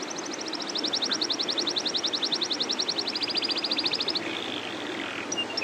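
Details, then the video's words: Canary of the loper type delivering a long rolling song: an even, rapid trill of about four seconds with many evenly spaced pulses, shifting slightly lower, then fading into soft warbling and a few high notes. "SUARA KENARI LOPER NGEROL PANJANG"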